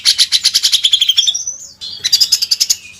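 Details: Grey-cheeked bulbul singing a master song for training songbirds: a rapid run of high pulsed notes that slowly descends, a brief whistle, then another fast pulsed series.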